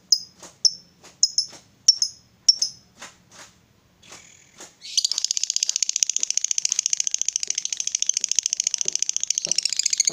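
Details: Female fighter lovebird used to provoke rival lovebirds: a few sharp separate chirps, then a dense unbroken high chatter (ngekek) running on without pause for over five seconds.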